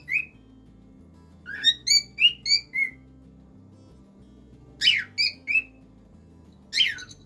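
A cockatiel sings in bursts of clear rising and falling whistles with a few harsher notes, over soft background music.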